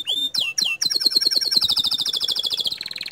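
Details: Bottle-green canary giving its 'tembakan' burst song, a training master that provokes other canaries: a few loud swooping whistles, then a rapid rattling trill of clipped notes, ending in a higher, tighter buzz.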